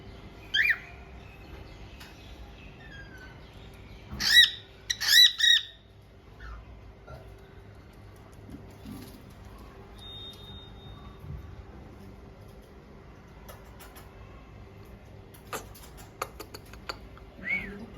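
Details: A cockatiel, one of a pet couple, gives a few sharp, harsh squawking calls with quiet gaps between them.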